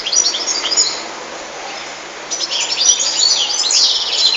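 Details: Twittering song of a European goldfinch: a burst of high chirps, a short lull, then a renewed rapid run of tinkling notes ending in a buzzy flourish.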